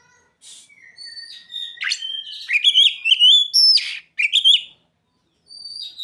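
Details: Oriental magpie-robin song filled with mimicked Bar-winged Prinia (ciblek) and sogon phrases: clear whistled notes sliding up and down, then rapid sharp chirps and rising flourishes separated by short pauses.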